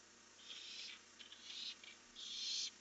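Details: Barn owls on a live webcam at night as two birds fly off, recorded 1 July 2015; three harsh, hissing screeches, the last one longest and loudest, with quiet gaps between.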